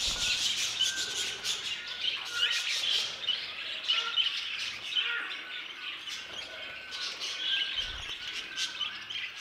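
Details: Budgerigars in an aviary, a flock chattering together in a dense, continuous warble of high chirps and squawks, with short rising and falling whistled notes running through it.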